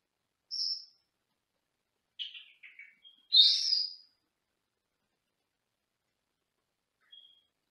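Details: Caged male Senegal parrot heard from another room of a house: a high squeak, a few short scratchy chatter notes, then a loud, shrill, drawn-out squawk, ending with a faint whistle.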